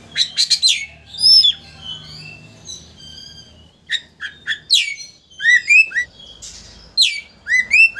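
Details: Oriental magpie-robin song aimed at provoking a rival to open its tail. Fast, varied phrases mix sharp chirps, clear whistles and upslurred notes, several repeated in quick bursts with short pauses.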